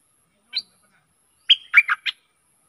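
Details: Stripe-throated bulbul, recorded as a lure for fierce wild birds: one short high chirp, a pause, then a quick phrase of four bubbling, slurred notes.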